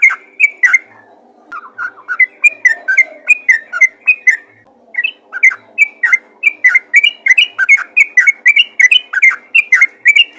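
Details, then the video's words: Yellow-vented bulbul calling to other bulbuls: bubbly, chirpy notes repeated about three times per second in lively runs, with a short pause partway through and a faint low hum underneath. "panggilan burung trucukan ropel gacor memanggil trucukan lain"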